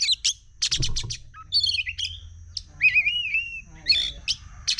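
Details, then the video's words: Oriental magpie-robin singing agitatedly: sharp chip bursts and clear whistles, then a wavering sweet warble dropping in pitch before more quick scratchy notes, with a steady low hum in the background. "SUARA KACER CEPAT EMOSI"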